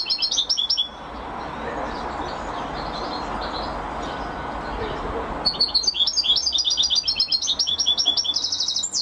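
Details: European goldfinch giving a short burst of quick, high twittering notes, then a stretch of steady rushing background noise, then a longer run of rapid, tinkling chirps and trills.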